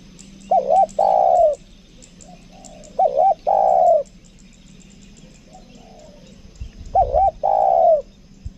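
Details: Spotted dove used as a lure bird, 'kuk dua' style, Lombok, repeating a wavering double note plus long falling coo three times, with quieter distant coos between and faint high ticking in the background.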